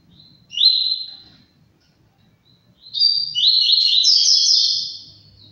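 A Double-collared seedeater gives a brief high whistled note, then a longer, fast twittering phrase of bright, slurred high notes. The background is otherwise quiet.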